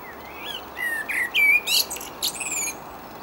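A common blackbird sings a brief phrase of mellow whistled notes that breaks into a high, squeaky twitter, over a soft hiss of wind.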